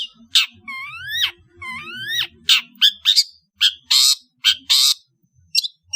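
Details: Afternoon singing by an Indonesian long-tailed bird, clear rising whistled notes sliding upward, followed by harsh scratchy bursts and thin high calls over a soft low background rumble.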